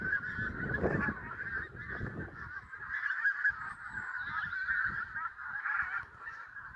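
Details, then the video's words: Flock of geese honking at sunrise in Prestatyn, many birds calling at once in a continuous chattering wall of nasal notes, somewhat quieter and more distant, with faint low rumble beneath. "Flock of Geese (Birds) at Sunrise"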